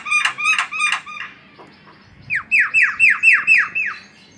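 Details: Jalak kebo song: three loud, harsh notes, a short pause, then a run of six down-slurred notes at an even pace.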